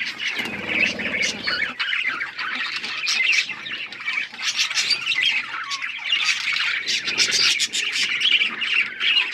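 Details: Budgerigars in a colony, singing with dense, continuous chattering of many overlapping squawks and chirps, with a brief low buzzing noise near the start.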